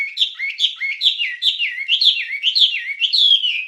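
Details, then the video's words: Master recording of a wambie for training songbirds. Steady, rapid, bouncy warbled notes swoop up and down, about two phrases a second, with no pause for almost four seconds. "Ocehan Suara Burung Wambie"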